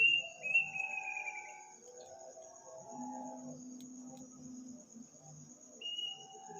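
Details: Strange bird calling at midnight in a village on Takbiran night: a quick run of high whistled notes that slide downward in a wavering series, a pause, then the whistling resumes, under a continuous high insect hum.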